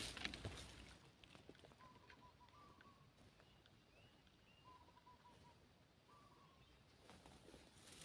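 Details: Spotted dove calling as a decoy to draw in wild doves: several short phrases of low hollow coos, each a quick run of notes ending in a longer note, spaced a second or two apart, with faint outdoor rustling.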